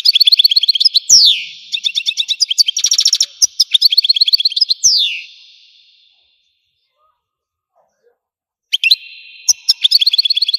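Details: Song of an Algerian goldfinch: rapid liquid twitters, a harsh rattling trill and a pair of descending slurred whistles, followed by a pause of nearly three seconds, then more chirps and a sustained buzzy note.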